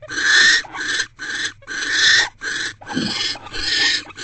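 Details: Nest-box barn owls at 8:50 pm on 17 January 2024, the male having brought a rodent before mating: broken series of harsh, noisy screeches in uneven bursts, with a short lower grating sound near the three-second mark.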